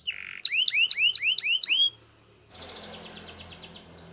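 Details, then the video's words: Canary training song: a short buzzy note followed by six spaced, ringing upward-hooked whistles, then a pause and a faint, fast rolling trill. "Canary's Most powerfull Song For Training"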